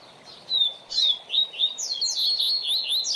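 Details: Double-collared seedeater (coleiro or papa-capim) singing a tutor song for young birds: separate high whistled notes that bend downward, then a quickening, continuous warble of sliding, twittering notes.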